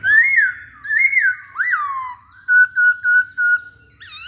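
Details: Hwamei song: long, sliding whistles that rise and fall, followed by four evenly spaced, loud, pure notes and a final upward flick.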